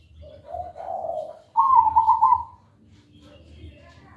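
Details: Perkutut, or zebra dove, singing a manggung lure song meant to coax other birds into song: a few soft, low coos rise into one loud, bright, rolling trilled phrase, then fade to near silence with faint background hum.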